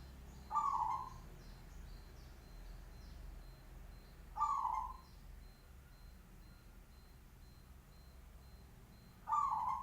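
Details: Loud-voiced local zebra dove cooing in brief, rich trilled bursts spaced roughly four to five seconds apart; soft distant bird twitters and a constant faint tone sit underneath.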